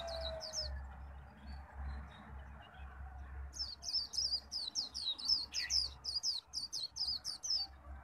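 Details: Japanese white-eye kept as a pet, singing hard in 'khuyên líu' contest style to lure wild birds: two short high phrases, then about four seconds of rapid, sharp, repeated whistled notes, over a steady low hum.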